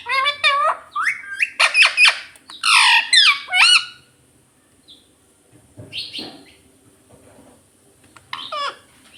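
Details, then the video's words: Pet talking parrot: a rapid series of harsh, nasal, voice-like squawks in the first four seconds, then quieter scattered squawks and clicks in a small room. "talking parrot mummy mummy"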